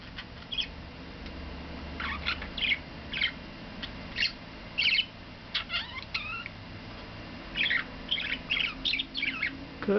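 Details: Pet male budgerigar, once quiet and now very talkative, chatters in quick bursts of scratchy warbles, squeaks and rising chirps while perched looking outside in the morning.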